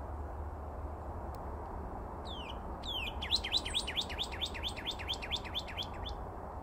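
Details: Single northern cardinal singing in February at Bullfrog Pond, Reach 11 Recreation Area, North Phoenix: a couple of slurred whistles lead into a rapid run of roughly fourteen repeated clear chip-like notes, with constant low hum beneath.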